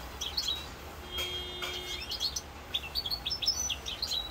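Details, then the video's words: European goldfinch song recorded in Corsica, 7 November 2022, with quick high chirps and twitters, a few drawn-out thin whistled tones near the middle, and constant low background hum. "chant chardonneret rosse corse"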